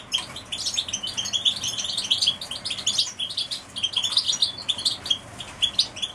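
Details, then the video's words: A group of canaries sings steadily: thin high chirps, warbles and fast trills tumbling over each other in a continuous bright chatter with no pauses. "طيور الكناري"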